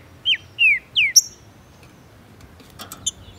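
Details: Male green-winged saltator from Brazil in breeding and tournament season, with a female present, singing to unlock another bird's song: three loud, falling whistled notes in quick succession, then faint chips and clicks.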